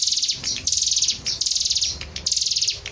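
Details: Hill prinia singing actively, used as masteran and pancingan for training other songbirds: high, rapid buzzy trills in bursts of about half a second, separated by short gaps, with faint low hum beneath.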